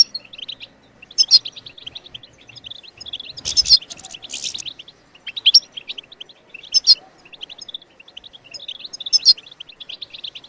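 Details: European goldfinch song aimed at getting other birds singing, lively high chattering twitter with loud accented notes about every two to three seconds and a brief noisy burst near the start.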